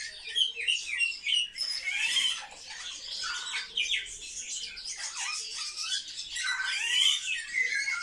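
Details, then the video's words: Kept sparrows, very social birds, produce a busy chorus of bright, scratchy chirps and descending squeaks that rise and fall in bursts throughout, over a quiet steady background hum. "Воробьи - Sparrow"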